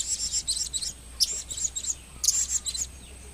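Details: Blue-crowned hanging parrot, a kept bird from 2015, chattering in fast runs of shrill high chirps, grouped in quick bursts of two to four notes, with a low steady hum behind.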